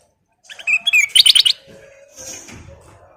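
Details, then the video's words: Energetic full-fill song of a ruby-throated bulbul (kutilang emas): brief rising whistled notes leading into a rapid rattle of sharp high chips, then fading into faint background noise. "Burung kutilang emas Gacor full isian"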